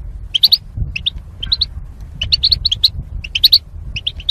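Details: Caged goldfinches kept as mating pairs behind wire barriers, singing for song training: bright, quick twittering chirps in short clustered bursts of two to four notes, repeated through the clip, with a low hum underneath.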